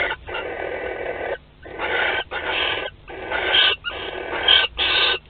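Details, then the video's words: Barn owls at a nest during courtship and mating, 25 May 2020, Théding, France: a series of long harsh hissing screeches, about one each second, separated by short silences, with steady low background hum. "Câlins et accouplement - 25/05/2020 - Les Chouettes Effraies de Théding"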